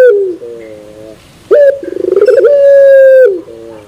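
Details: Puter pelung turtle dove in the terasan bermetal song style: low harmonic coo opening, a sudden loud note, then a rapid stuttering pulsed run flowing into a long steady coo that falls at the end.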